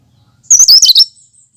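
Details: Cucak kinoi giving its natural song without mimicked fill-ins, used to prompt and lure birds: one quick, chattering, high burst of five or six squeaky notes lasting under a second, with near silence around it.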